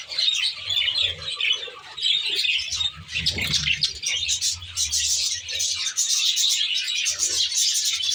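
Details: A captive flock of Australian budgerigars in an aviary reserve keeps up busy, high-pitched twittering and warbled chatter, with a dull thump near the middle.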